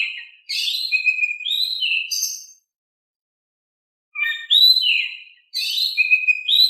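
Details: Oriental magpie-robin singing loudly, a recording for coaxing other birds to reply: rich whistled phrases with quick sweeps and slurred notes, a two-second silence, then renewed bursts of varied, high, clear whistling.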